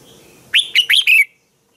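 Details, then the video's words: Red-whiskered bulbul singing in the morning, used as a lure recording for training other bulbuls to sing: one brisk phrase of four bubbly, whistled notes, rising and falling, then quiet. "Chào mào hót sáng hay"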